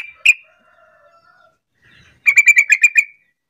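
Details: Sooty-headed bulbul lure call to coax other bulbuls into answering: a single sharp note, a pause with faint thin tones, then a rapid bubbly run of about seven ringing notes.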